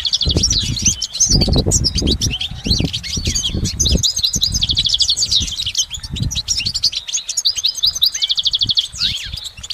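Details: Goldfinch song in nature: a continuous, lively twittering of quick chirps and short trills, with low rumbling and thumping noise underneath through the first half.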